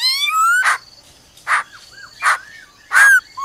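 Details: Female laughingthrush "ro ro" call meant to excite a male: a rising whistle followed by harsh broad bursts spaced under a second apart, with soft whistled slurs between.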